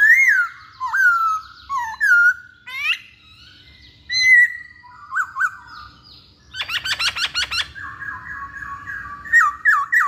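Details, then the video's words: Masked laughingthrush used as a lure for males that sing rarely. Varied looping whistles and sharp notes, a rapid rattling chatter midway, then sustained wavering whistles. "Poksay Hongkong Jantan Manapun Pasti Nyaut Saat Dengar Pancingan ini"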